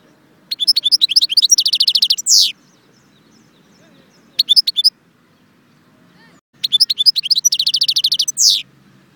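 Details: Goldfinch from Jbel Wahch near Constantine giving three bursts of song: long fast trills of high metallic notes, a short middle fragment, each longer phrase closing with a buzzy falling slur, over faint low noise.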